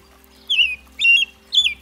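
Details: Song of the American robin (red-breasted thrush): three separate whistled phrases, the first a long downslurred carol, the next two warbled and slightly higher, against a faint low background hum.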